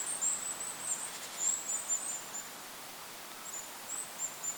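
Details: High, needle-thin Goldcrest calls in lakeside forest, a cluster at the start and a few scattered notes near the end, wind hissing throughout.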